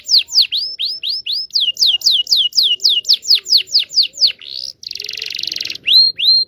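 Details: Indonesian local canary singing a lure song for young or silent canaries: a long run of loud descending whistled notes, about four per second, broken by a short rasping buzz, then two more sweeping whistles.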